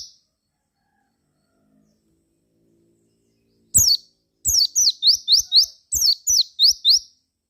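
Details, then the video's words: Javan white-eye lure song to coax other white-eyes into answering: after a quiet opening, a lively run of high, rapid chirps, about four per second, alternating falling slurs and upward-sweeping whistles. "KICAU PLECI GACOR RAJA PIKAT INI,JAGONYA BIKIN PLECI LAIN NYAUT GACOR BUKPAR."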